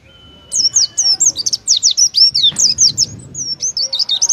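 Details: Gacor Oriental white-eye delivering judge-favoured competition song, a continuous run of high wavering whistles and chirps lasting nearly four seconds, with a faint steady tone early and some low background noise.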